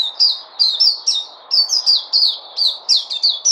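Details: Puteh white-eye singing on 29 August 2020: continuous bright, high chirps, each slurring down, grouped in twos and threes with short breaks, above a faint low hiss.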